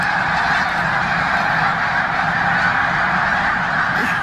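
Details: Snow geese gathered in a Pennsylvania corn field, December 2021: a loud, unbroken chorus of many nasal honks overlapping steadily throughout.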